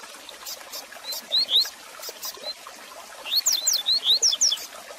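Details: Song of a Double-collared seedeater, played to warm up and teach a kept bird. A brief pair of rising whistles comes first, then a longer rapid string of sharp, swooping high notes over light crackle.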